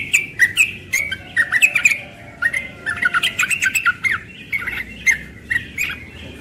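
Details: Morning ropel from a young yellow-vented bulbul: dense, jumbled bursts of chirps and squeaky slurs, a busy stretch in the middle, then spaced single notes.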